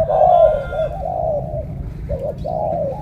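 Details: Morning cooing by a spotted dove from Cà Mau, a deep 'thổ cọp' voice compared to a pigeon: a long hollow coo, a wavering slide, then a short doubled note and a final drawn coo.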